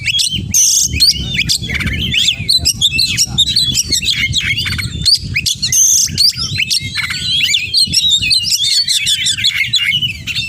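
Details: Loud, dense oriental magpie-robin song full of borrowed phrases, a nonstop jumble of chirps, sweeping whistles and harsh buzzy notes, over a steady low background rumble.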